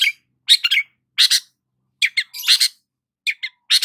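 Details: A long-tailed shrike sunbathing in the morning sings in rapid scratchy chatters, doubled and tripled harsh notes with short gaps, a longer grating run in the middle, in quiet surroundings.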